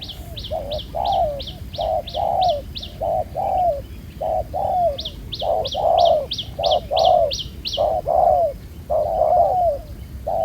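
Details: Wild-caught spotted dove with a black-spotted neck, a good cooer, in a ground-decoy trap setting. Low falling coos repeat steadily while another bird adds rapid high chirps in two bursts.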